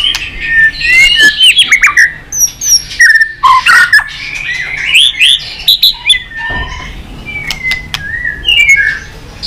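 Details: White-rumped shama, stirred up and beating its tail, delivering a varied multi-voiced song: jumbled whistles and slurred notes, sudden sharp clicks, and later a few drawn-out clear whistled notes with pauses.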